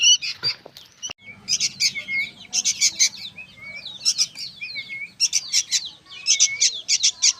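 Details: Softer bursts of squawky chatter from young sooty-headed bulbuls, each group ending in short whistled notes, after a clattering knock at the start.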